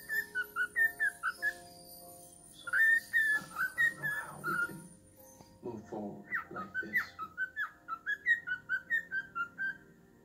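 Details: Pet cockatiel, male, whistling the tune "Twisted Nerve" to its owner's foot on Halloween: bursts of quick, rhythmic whistled notes rising and falling, interrupted midway by a person's speech before the whistling resumes.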